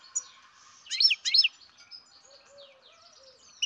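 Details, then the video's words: Captive-bred goldfinch chick utters two rapid, twittering high chirps in quick succession, followed by fainter thin whistles and softer chatter in the background. "Καρδερίνα εκτροφής μωρό (Goldfinch carduelis baby"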